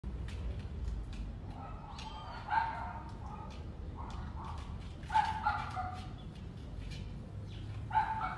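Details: Wild macaw drinking from a fresh coconut: harsh, nasal squawks in short bursts every few seconds, some with raspy overtones, over a low rumbling background.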